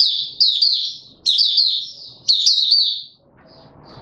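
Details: Opening song (buka sing) of a caged white-eye being brought into form, recorded 31 December 2021: three shrill, rapid warbling phrases of about a second each, separated by short pauses, then quiet with faint background rustle.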